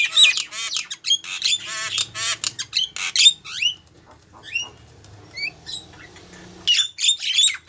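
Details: Lure call of a female Javan myna summoning a male: a burst of grating, buzzy squawks, then sparse upslurred whistled notes and a short harsh outburst at the end.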